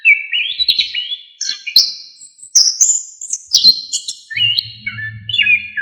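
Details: Orange-headed thrush, used as a tutor recording for songbirds: varied whistled and slurred phrases climbing to high notes and then falling, with a faint low hum in the background near the end.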